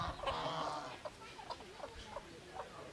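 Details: Red junglefowl in breeding season: a longer harsh, noisy call at the start, then a run of short, sharp clucks spaced about every half second, fairly faint against a low background hiss.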